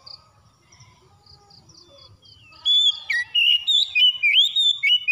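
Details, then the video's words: Oriental magpie-robin song for bringing a silent bird back to singing: after quiet high pulsing and soft tones, a bold run of warbled, rising and falling whistles begins and continues to the end. "TERAPI KACER MACET BUNYI CEPAT ON GACOR"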